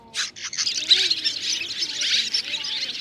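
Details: Roosting call of mixed swiftlets (white-bellied, banded, grey-brown) gathering the flock into a thicket: after two brief opening bursts, steady high-pitched chattering runs on, accompanied by soft low sliding tones.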